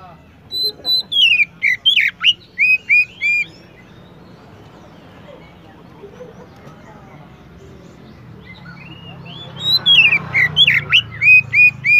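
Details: Oriental magpie-robin song: rapid runs of sweet whistles and sharp up-and-down slurs open and close the recording, with a long quiet stretch of low rumbling background between them.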